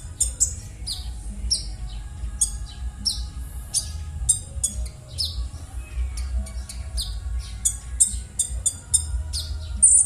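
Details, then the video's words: Harsh konin bird calls used as a lure for konin that have stopped singing; high, rasping notes with falling slurs come in irregular bursts throughout, over a constant low droning hum. "suara kasaran burung konin#cocok_untuk_pancingan_konin_macet_bunyi"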